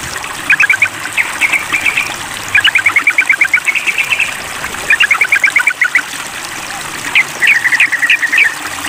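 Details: Sooty-headed bulbul calling a rival in long, nearly continuous rapid chattering phrases of many sharp notes, broken by brief pauses, over a steady hiss.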